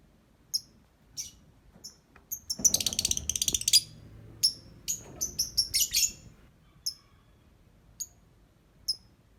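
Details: Lovebird singing: sharp, high shrill chirps spaced through the clip, broken by a dense buzzy chattering burst in the middle and a run of quick squeaky notes before trailing back to single chirps.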